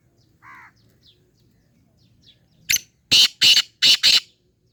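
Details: Black francolin (kala teetar) giving a harsh, rasping call: one short grating note followed by four loud, broad, scratchy bursts in quick succession, after a brief faint chirp; background otherwise quiet with low hum.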